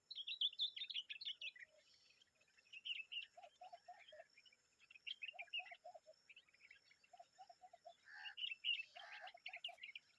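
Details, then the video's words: An adult common babbler and its young making noise: dense, rapid, squeaky high chirps and trills chattering almost nonstop, broken by short groups of four lower piping notes. "The common babbler and her babies are making noise"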